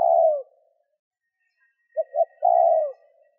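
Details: Spotted dove, its coo used to lure wild doves, ending one long coo before a full phrase of two short low notes and a drawn-out falling coo; faint high hum in the background.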